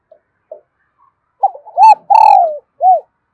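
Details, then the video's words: Calling spotted dove kept as a decoy in Đồng Nai, Vietnam: soft introductory notes build into rounded coos, a long buzzy falling note and a closing arched coo, heard clearly against silence. "Tiếng chim cu mồi gáy gọi vang cả bản làng Đồng Nai 2"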